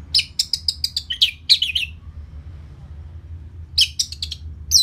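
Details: Orange-headed thrush singing, North Bali, in a lure recording meant to make a post-moult bird more aggressive: quick sharp repeated notes and warbled phrases, a long pause with low background hum, then another short burst.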